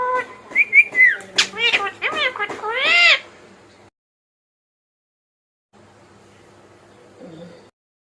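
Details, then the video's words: Pet Indian ringneck parakeet talking: a burst of harmonic, speech-like syllables with bending, wavering pitch for about three seconds, then near silence with faint low rustling near the end. "Ringneck Parrot Talking Insane"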